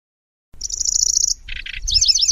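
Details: {'text': 'Grasshopper-like song of a Lanceolated warbler, loose chatter with rolls and sharp shots: a high even buzzing reel, two harsh lower bursts, then a quick tangle of wavering high notes.'}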